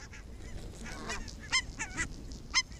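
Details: Evening walk of barnacle geese in Arabia on 1 October 2014: scattered yapping honks from several birds, a few louder sharp barks standing out over softer distant calls and low background hum.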